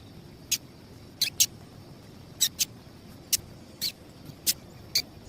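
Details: Female double-collared seedeater calls meant to excite males; around ten brief, piercing high chips, some in quick pairs, spaced unevenly over five seconds against a faint constant high hum.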